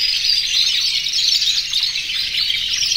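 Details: Aviary of over 100 canaries in breeding condition singing to attract females; an unbroken high, bubbling chorus of rolling trills and sharp chirps, fairly even in loudness.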